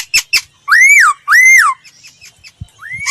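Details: Laughingthrush used in voice training: two short sharp notes followed by two long, loud arched whistles rising then falling, and a final rising whistle after a pause.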